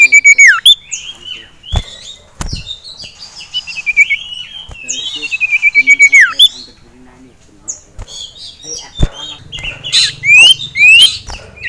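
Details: Male sirtu in a cage, worked up by a rival and a female nearby, repeats bursts of fast high trills ending in dropping whistles, mixed with chirps, sharp clicks and knocks.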